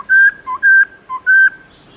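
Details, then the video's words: Short burst of black-throated laughingthrush morning song in forest voice style: flat, clear whistles alternating with lower, softer notes, three loud whistles in two seconds. "Khướu bạc má hót GIỌNG CHUẨN RỪNG buổi sáng cực hay"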